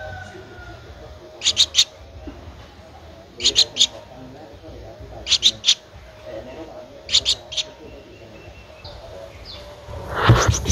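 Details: Streak-eared Bulbul nestling, 13 days old, at Ubon Ratchathani, Thailand, on 15 April 2023; paired short, harsh, high chirps come in clusters about every two seconds over a low background hum, ending in a loud rustling thump.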